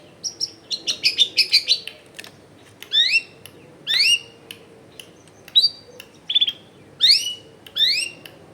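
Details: Long-tailed shrike in full voice, recorded at a home amid dense housing, meant to prompt silent shrikes to sing: a rapid burst of bright notes followed by spaced, upward-sweeping whistles.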